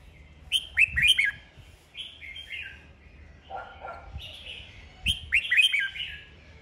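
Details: Red-whiskered bulbuls in competitive song trade bright, bubbly whistled phrases of quick down-slurred notes in fast bursts, with a few lower mellow notes and faint background thumps.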